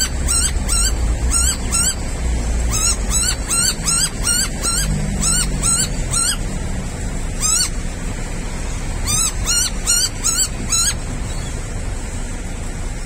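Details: A Yellow-throated Miner in a roadside tree beside a station in the early morning, calling notably loudly: sharp, high, harsh notes in quick irregular runs, two or three a second, with pauses, over a steady low traffic rumble.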